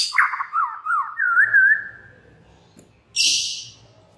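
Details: Lure song of the white-rumped shama to prompt other shamas to sing: rich, looping whistled phrases that wander up and down and fade out, then a sudden short hissing rasp.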